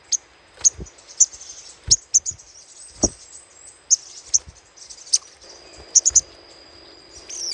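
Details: Little spiderhunter chatter used as a lure: short, high, clipped chips roughly every half second, sometimes doubled, with a thin steady high whine in the background.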